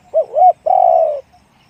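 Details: Single one-'kuk' phrase from a deep-voiced spotted dove: two rounded hoots, then a long vibrating coo gliding slowly downward. Quiet surroundings.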